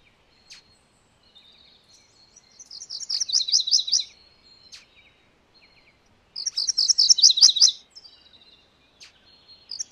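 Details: MacGillivray's warbler singing two loud, quick phrases of rapidly repeated high chips that drop to a lower ending, each about one and a half seconds long and about four seconds apart, with faint scattered chips between in otherwise quiet surroundings.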